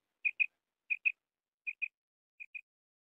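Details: Common quail uttering four crisp paired notes, spaced evenly and fading slightly toward the last pair, in otherwise quiet surroundings.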